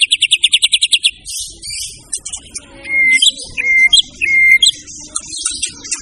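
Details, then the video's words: White-rumped shama opens with a fast string of ringing repeated notes, then shifts to scratchy chatter broken by several clear, level whistled notes with sharp upward flicks. "siapkan mental burung anda jika mendengar suara burung murai satu ini"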